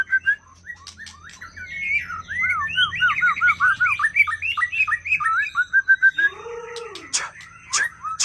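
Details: White-rumped shama from Aceh, a young forest bird, delivering a dense, fast warble of tumbling whistled and slurred notes, then a low rasping phrase and sharp clicks, over a background hum and a constant high whine.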